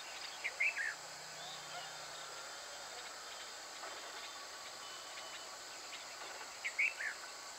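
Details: At Rajarhat, Kolkata, a red avadavat gives two short bursts of thin, high chirping notes about six seconds apart, over a steady hiss of insects.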